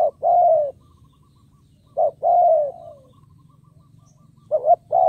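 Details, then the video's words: Spotted dove, a decoy bird calling to bring in wild doves; loud drawn-out descending coos spaced a couple of seconds apart, each preceded by a short note, faint low hum beneath. "Cu Gáy Mồi Cây 5tr THÚC GÙ KÈM BỔI | Cu Gáy Kích Bổi Nhanh Nổi"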